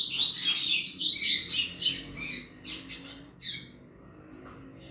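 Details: Double-collared seedeater delivering 'chuva' song to provoke other males: a dense high chattering phrase for two seconds, then separated sharp chips with gaps between them.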